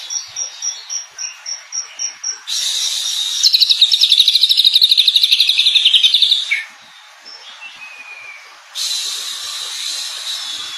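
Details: Greater green leafbird (cucak ijo) in full song: a run of evenly spaced high chips gives way to a dense, rapid trilling chatter with scratchy high notes lasting several seconds, then a quieter pause before more song, over a constant hiss.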